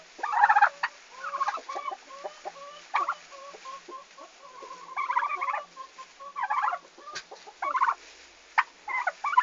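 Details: Turkeys newly delivered to a farm in Estonia, 11 August 2015: loud gobbling bursts alternating with rows of short level peeping notes, irregular and overlapping.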